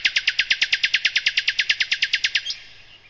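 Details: Kept songbird called sikatan londo and described as a nightingale, recorded as a training recording for other birds: a fast, dry trill of about twenty sharp, high chipping notes, roughly eight a second, stopping abruptly after two and a half seconds; flycatcher.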